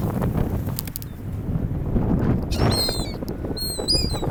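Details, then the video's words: Seagulls at an ocean beach, among people: surf and wind rumble at first, then from the middle a run of thin, high, slightly wavering squeals from a few gulls. "Seagulls 海鷗"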